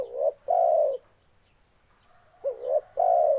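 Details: Short run of spotted dove song: a coo ending one phrase, a pause, then another phrase of two quick rising notes and a long level coo.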